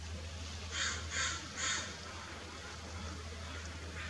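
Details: Young eagle finding a midshipman fish, recorded 9 May 2016 at 13:14; three loud harsh calls in quick succession over steady low hum and background noise.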